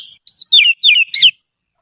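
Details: Trained Oriental magpie-robin singing as a song tutor. Five clear whistled notes, the first ones steady and level, the later ones sliding downward, then silence.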